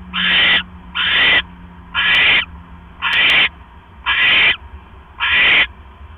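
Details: Owl pair at a camera-watched nest on an October evening in 2015, with one bird delivering a rat to its mate. Six rasping, noisy hiss-screeches come in a steady rhythm, about one per second, with a faint low hum beneath.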